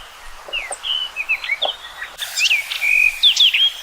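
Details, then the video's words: Common rock thrush singing a fast run of clear, varied whistles, some sliding down and others rising, followed by a brighter, louder sequence of sweeping notes. "Canto do Tordo Das Rochas Comum ou Tordo de Rabo Ruivo"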